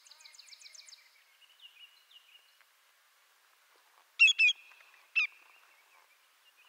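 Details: Faint rapid twittering and a thin whistle at first, then a quiet gap before a greater yellowlegs, a North American shorebird, gives two loud downslurred whistles and a single further note.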